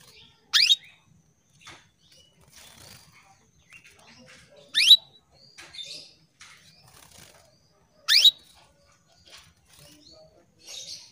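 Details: Female canary (kenari) calling males, caged in Indonesia; three sharp rising chirps spaced about four seconds apart, with faint twittering and light rustles in between.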